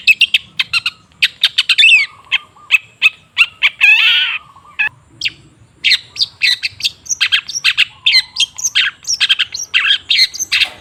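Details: Lure song of a long-tailed shrike meant to make a silent bird sing regularly: a long, busy chatter of sharp high chips, buzzy trills and harsh grating notes, with a low hum running beneath.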